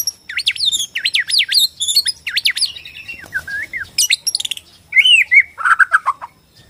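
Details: Bornean white-rumped shama delivering a fast, high song of repeated looping whistled notes, then descending slurs, sharp clicks and a burst of rich warbling phrases.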